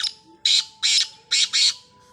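Black francolin giving harsh, rasping squawks, four loud notes in under two seconds, broad and grating; a faint steady hum runs underneath.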